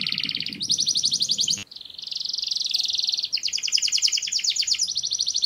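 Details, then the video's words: High canary trills running almost without pause, switching between rapid rolling phrases and buzzier passages; a low rumble sounds at the start. "красивое пение канарейки"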